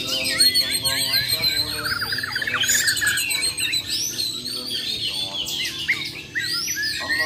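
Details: Champion Bornean white-rumped shamas from Muara Wahau, Borneo, in a singing contest, performing besetan and tembakan song styles: dense overlapping rapid whistles, sweeping trills and chattering notes from several birds, over low steady droning harmonic tones.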